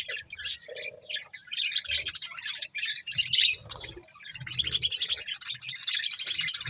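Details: Several budgerigars chirp while eating corn, a dense run of high, scratchy twitters and chatter with short pauses, growing busier and more continuous toward the end.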